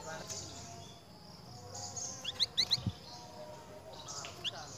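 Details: A flamboyan bird answering the call of another flamboyan: a quick run of four or five sharp, high chirps, then one more a moment later, over a steady background hiss.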